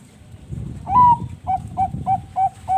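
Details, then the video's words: Bangkok-type zebra dove (perkutut bangkok) singing energetically, a song used as a lure to get other doves singing: one long rolling coo, then five short clipped coos roughly every third of a second over low rumbling background noise. "PANCINGAN SUARA BURUNG PERKUTUT BANGKOK GACOR"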